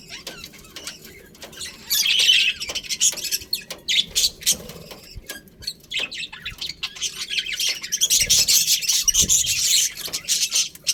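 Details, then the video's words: Budgerigars chirping in a colony that includes a breeding pair: an ongoing stream of fast, scratchy twittering notes from several birds, louder around two seconds and again in a busy final stretch. "Colourful Budgies Chirping Sounds"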